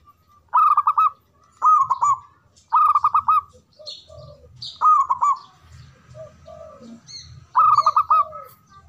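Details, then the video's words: Local zebra dove with a big voice in manggung song: rapid bubbling coo phrases repeated roughly every second or so, mixed with softer descending notes and scattered chirps from other birds. "Perkutut Lokal Gacor Suara Besar Manggung"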